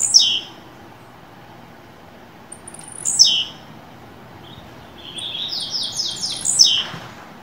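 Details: Blue-black grassquit in captivity, warmed up for Fibra-style singing. It repeats a loud descending buzzy note about every three seconds, and a short series of rapid stepped buzzes comes just before the last one.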